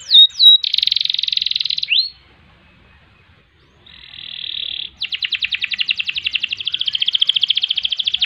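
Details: Canary in full song, its long song holding ngerek, ngerol and nembak styles: quick downward whistles, a bright buzzy trill, a pause, a softer buzz, then a long series of rapid pulsed rolls.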